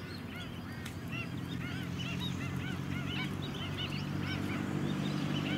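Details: White-headed Stilt flock on the mudflats at Scarborough, Queensland, July 2017: scattered short yapping calls, roughly four a second, partly masked by a rising engine drone.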